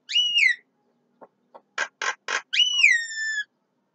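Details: Midday song of a Javan myna: a clear downslurred whistle, two faint clicks, three short harsh notes in quick succession, then a long, drawn-out falling whistle with ringing overtones; no other sounds.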